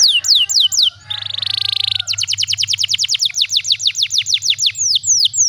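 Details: Canary singing, used as a tutor recording for young birds learning special song phrases: downslurred whistles, a dense buzzy trill, then a long run of quick sweeping whistled notes repeated about three per second, with a faint low hum.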